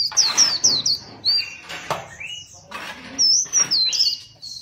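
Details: Caged competition white-eye giving rapid, high, twisting whistled notes in short clusters, with a lower sliding note in between and loud sharp clicks breaking the phrases.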